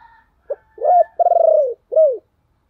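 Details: Caged decoy spotted dove calling to draw in wild doves: one phrase of a brief introductory note, a short coo, a long stuttering coo and a final downward-falling coo, with faint background hum before it.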